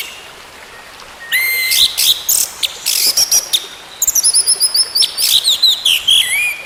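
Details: Singing orange-headed thrush, played as therapy for a stalled songbird: a rising whistle, then a rapid run of high sharp notes, harsh rasps and repeated slurred whistles in quick succession.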